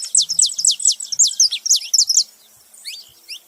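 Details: Saffron finch making noise: a fast run of about ten sharp, high, down-slurred notes over two seconds, then a few softer, lower-pitched chirps trailing off.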